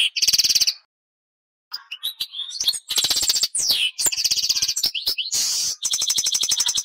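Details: A European goldfinch in full song, pouring out dense, rapid twittering trills mixed with rising and falling slurred whistles and a few harsh nasal notes, nearly without pause.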